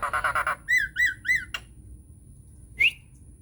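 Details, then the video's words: Nias hill myna lure song, used to make other mynas answer: a half-second of harsh buzzy pulses, then three downslurred ringing notes, a sharp click, and a short rising whistle near the end over low background rumble. "SUARA PANCINGAN JALAK NIAS GACOR BIKIN JALAK MACET LANGSUNG NYAUT"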